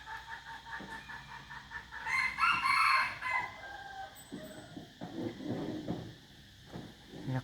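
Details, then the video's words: Chicken crowing amid steady background noise: a loud, hoarse crow of a little over a second rises from softer rumbling, followed by scattered clucks and knocking sounds. "noob qaib poj qua zoo heev li"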